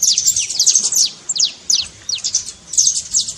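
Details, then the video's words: Saffron finch singing a trincado meant to get a quiet canary singing: tight clusters of piercing, high, downslurred chirps separated by tiny gaps. "trincado pra foguea seu canário frio"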